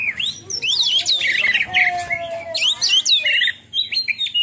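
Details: Oriental magpie-robin belting a 'tembakan' song, dense run of sharp whistled notes sweeping up and down, with scratchy chattering mixed in and brief pauses near the end.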